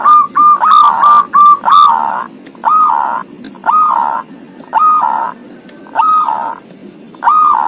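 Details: Zebra dove with thirteen tail feathers giving ngoar-style song: a few rapid clipped coos open, followed by drawn-out mellow notes that bend down at the end, roughly one each second.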